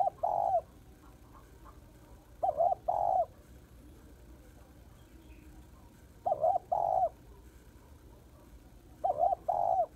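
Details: Spotted dove hen calling to rouse males, giving short paired coos in bursts roughly every three seconds, with quiet gaps between the pairs.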